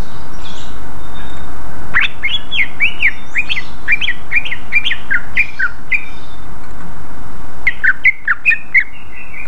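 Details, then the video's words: {'caption': 'Greater green leafbird in full song as bait to draw a response from rival leafbirds. Rapid varied chirps and slurred whistled notes tumble together, then pause briefly before a few louder notes, with hiss in the background.'} "Pancingan suara burung cucak ijo gacor ngeplong paling cepat di respon cucak ijo lain"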